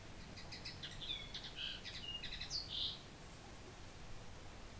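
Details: Common linnet singing: a quick twittering run of short chirps and buzzy notes with a few bright rising and falling whistles, mostly high-pitched, over a low background rumble.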